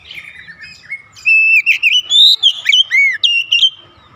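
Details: Oriental magpie-robin singing rhythmically, a fast run of warbled whistles that climb and dip, with looping slurred notes and sharp accents over roughly two and a half seconds, against a quiet background.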